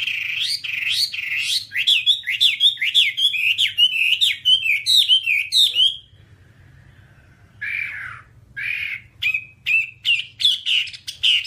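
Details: Whambie song with a long series of loud, sharply rising and falling whistled notes, a brief silence, then a descending slurred note followed by more chirps and whistles.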